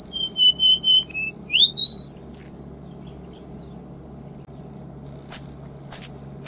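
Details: Cuban bullfinch, dense 'tembakan rapat' tutoring song: about three seconds of quick high whistled notes and upward slurs, then quiet low hum with a few sharp high clicks.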